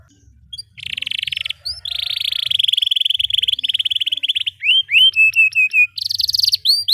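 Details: Long rolling canary song used as a tutor for young birds: a buzzy trill, then a sustained fast pulsed roll lasting several seconds, followed by looping upswept whistles and a high buzzy flourish.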